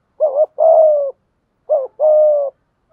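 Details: Spotted dove lure call meant to make wild doves coo back: two paired phrases, each a short warbling note followed by a longer, low, slightly falling coo, separated by a brief silence.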